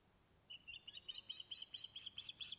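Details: Osprey fish-calling from its nest at Loch of Lowes, Scotland, webcam recording: after half a second of quiet, a quickening series of about a dozen sharp, high whistled notes.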